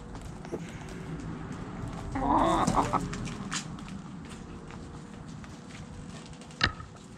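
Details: Backyard chickens heard amid a noisy yard, low murmuring clucks with a brief louder burst of calling in the middle and a sharp knock near the end.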